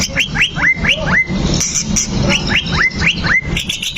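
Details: White-rumped shama singing as fighting bait: a phrase of rising, hooked whistles repeated about twice a second, played twice with a short gap, over a low background hum.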